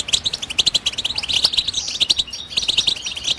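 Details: European goldfinch singing a rapid, bright twittering stream of high, tinkling chirps and liquid trills, delivered almost without pause.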